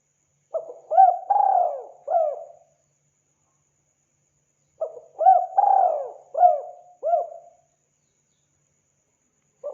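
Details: Spotted dove call for luring wild birds, given as two near-identical phrases about four seconds apart, each a quick lead note, a long sliding coo and two bouncing arched coos.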